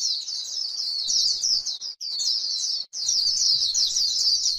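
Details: Dense, thin, trilling warble of a white-eye on grassland, líu-style song for rousing birds, delivered in three continuous phrases separated by brief breaks.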